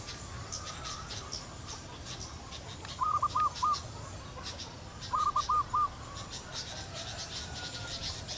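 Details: Zebra dove pair on a teak branch in cool air after overnight rain broke a long hot, dry spell; two short rolling coo phrases about two seconds apart over steady insect-like hiss.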